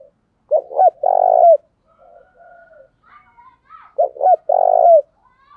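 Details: Decoy spotted dove cooing to get wild doves calling: two close phrases, each of two quick hoots and a long throbbing coo, with faint cooing from another dove between them.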